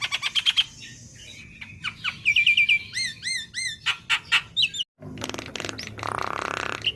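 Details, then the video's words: Juvenile black-winged myna singing for song training: quick repeated high chips, a series of rising-falling whistled notes, then a harsh grating buzz closing the sequence. "Masteran Burung Jalak Kebo Bahan / Jalak Kebo Muda | Pancingan Jalak Kebo"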